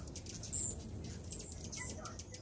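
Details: Hummingbirds, thousands feeding at a yard kitchen window, give thin, very high squeaky chips, one louder burst among quicker faint ticks, over a low steady background rumble.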